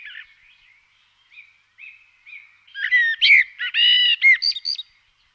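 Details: Common blackbird singing: soft, low fluted warbling phrases that grow into louder, clear whistled notes with a brief, squeaky twittering flourish at the end; no other sounds.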